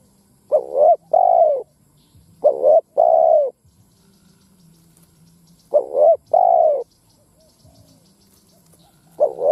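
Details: Spotted dove kept as a ground lure to provoke wild doves: repeated deep cooing phrases, each a quick double note followed by a drawn-out coo, roughly every three seconds, quiet background.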